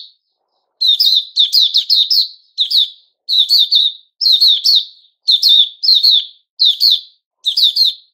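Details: Kept sooty-headed bulbul (Puteh Raja), recorded 10 July 2021, singing clipped phrases of two to five quick, sharp chirps. The phrases repeat about every half second to a second in a steady, lively series.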